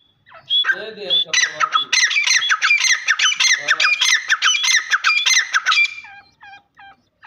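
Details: Black francolin calling: harsh, grating squawks build into a rapid string of scratchy notes for about four seconds. The string ends in a few thin, separate high chips.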